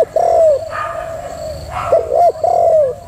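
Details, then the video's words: Female spotted dove giving a prompting coo: low, mellow cooing notes, a drawn-out coo followed by shorter rising and falling coos, close and loud. "chim cu gáy mái thúc gù cực hay"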